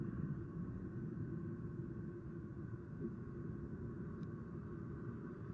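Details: Continuous low traffic rumble with a faint hum and one tiny click, and no animal sounds.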